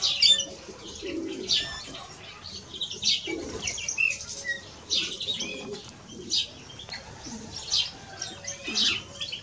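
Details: Male and female European greenfinch singing: dense high twittering phrases with buzzy notes and quick trills, repeated in bursts across the clip, with a few softer lower chirps between them.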